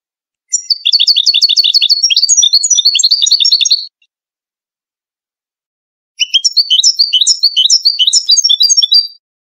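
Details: European goldfinch of the Moroccan 'wedani' song style, recorded for teaching chicks: two bursts of fast, twittering, metallic notes with liquid trills and buzzy elements, separated by a pause of about two seconds, with a clean, quiet background.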